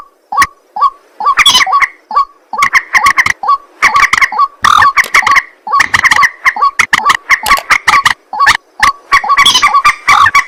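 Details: White-breasted waterhen calling at night: a dense, loud run of harsh croaking notes mixed with short, clipped, upturned tonal notes, repeated rapidly and almost without pause for the whole stretch.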